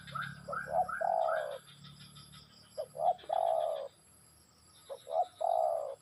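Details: Spotted dove song: clusters of short hoots, each ending in a long, soft, slightly falling coo, three phrases spaced by pauses, with faint rapid chirping in the background.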